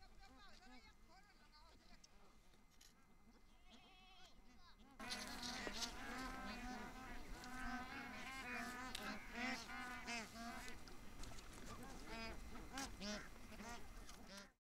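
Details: Bar-headed geese feeding at Tehla Jheel lake in Sariska National Park, Rajasthan, India, give a few nasal honking calls, then the whole flock joins in a dense, overlapping chorus of rapid honks.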